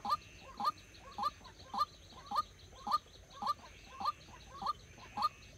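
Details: Trapping decoy white-breasted waterhen repeating a sharp, upturned note about every half second in a regular rhythm, with faint hissing in the background.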